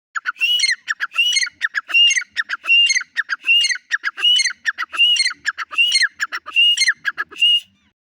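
A partridge gives loud, harsh, squawking phrases, repeated in a steady rhythm a little under once a second.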